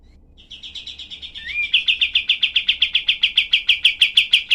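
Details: Cream-vented bulbul, known locally as kapas tembak, giving a dense, sharp 'tembakan' burst used to tutor songbirds: a brief rising note, then a fast run of about fifteen harsh, clipped chirps, all closely spaced and steady.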